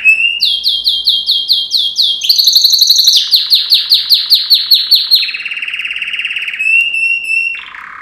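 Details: A yellow canary, Serinus canaria, sings a training song for other canaries: loud series of repeated sweeping whistles about twice a second, changing to faster trills, a rolling buzz and a short final whistle.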